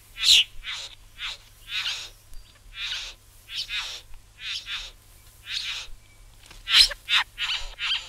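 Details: Satin Bowerbird from a collection of Australian bird recordings: a rapid series of short, harsh, buzzy notes, about a dozen bursts in eight seconds, some clustered in quick pairs, with brief pauses between; a faint low hum underneath.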